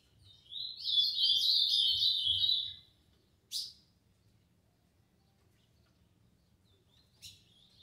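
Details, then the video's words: Green-winged saltator, 'tio João' song doubled: one loud burst of fast, wavering warbled notes, followed by two short sharp clicks, over quiet low background rumble. "Trinca ferro tio João dobrou"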